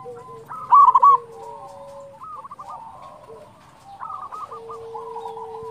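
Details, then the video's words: Zebra dove of a local Indonesian strain, recorded as a lure for other zebra doves: one loud bubbling coo phrase near the start, then quieter trilled cooing and a long, level low note from other birds. "Perkutut lokal gacor Suara ini sangat disukai semua perkutut"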